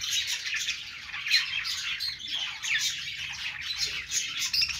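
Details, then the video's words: Budgerigars singing on a perch: a dense, continuous chatter of warbled, scratchy notes and quick chirps, overlapping voices with no pauses throughout. "budgies singing on perch"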